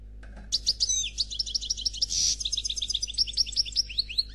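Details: Song of a European goldfinch of the black Khalwi style, delivered without faults: a continuous, fast stream of high tinkling chirps and twitters, broken by a short buzzy rattle midway.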